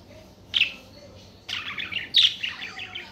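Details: Budgerigar song: one clear chirp, then a run of rapid, scratchy warbling notes that ends in a louder bright chirp and more chatter.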